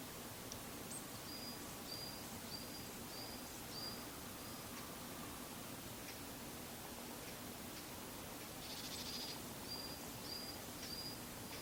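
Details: Varied tit (Sittiparus varius), unseen high up against a satoyama backdrop on 28 February 2015, gives thin, high, drawn-out call notes in short runs, faint against steady broadband hiss.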